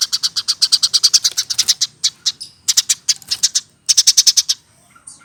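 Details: Hand-fed caged Eurasian tree sparrow over a year old. Steady run of sharp chirps at roughly eight per second, a short break, then further quick chirp series fading into quiet.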